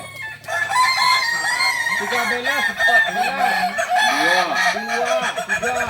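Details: Kukuak Balenggek rooster, a native Solok singing chicken, delivering a long continuous crow of rapid, repeated arched syllables beneath sustained higher tones. The crow is loud throughout, with several voices blending.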